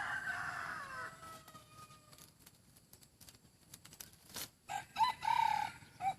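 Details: Decoy chicken with a fine voice crowing: a loud harmonic call that falls over about a second, then a shorter, steadier tonal crow near the end, with background rustles and clicks between.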